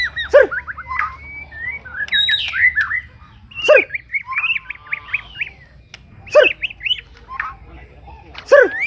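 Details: White-rumped shama giving a varied song of short whistled twitters and chattering runs, broken every few seconds by sharp, harsh squawk-like notes, over a faint low hum.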